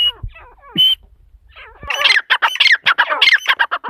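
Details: Calling female teetar, a partridge: a couple of sliding, scratchy notes and a short whistled squeal, then a burst of rapid, loud, harsh squawks in quick succession.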